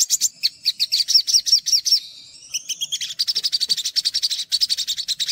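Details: High-pitched olive-backed sunbird song recorded as masteran material, opening with a series of clear slurred whistles, a brief drawn-out note, then a fast chattering trill.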